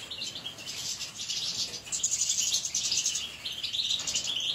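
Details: Caged European goldfinches in lively song: rapid high tinkling trills and twittered phrases, including a clear run of quick repeated ringing notes midway and again near the end.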